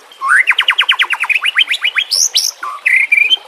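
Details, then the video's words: Captive-training song of the white-rumped shama: a fast rhythmic series of rising whistled strokes, then high upward slurs and a pair of level whistles. "JELAS NYAUT dan NGAMUK dengan pancingan murai batu TERBARU FULL ISIAN KOMBINASI"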